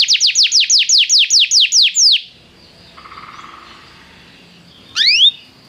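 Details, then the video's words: Canary song used to prompt another canary to sing: a fast series of about eleven sharp downward-sweeping whistled notes, then a quiet pause with a faint low hum and a final rising slurred note. "o som de atrair seu canário para cantar imediatamente"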